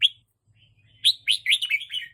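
A red-whiskered bulbul gives one bright note, then a quick burst of bubbly, warbled phrases over about a second. A faint low hum sits underneath.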